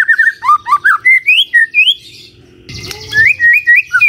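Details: Magpie-robin morning song used to bait a silent bird into replying: a run of clear whistles sliding up and down, a short noisy break, then more rising whistled notes.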